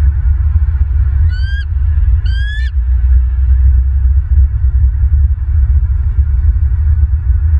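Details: Bald eagles at a nest camera in Southwest Florida, early morning of 25 January 2023: two short, rising, harmonic chirping calls about a second apart, set against a loud, constant low rumbling hum.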